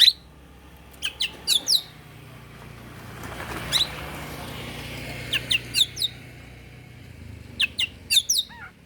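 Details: Oriental magpie-robin in the morning, used to incite rival birds: three short clusters of sharp high chirps and slurred notes, set against continuous background engine and traffic noise.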